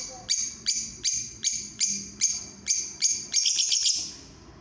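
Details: Lovebird that has competed in an inter-provincial contest, singing a series of sharp, high chirps repeated about every half second, nine or ten notes that run together into a busier trill at the end.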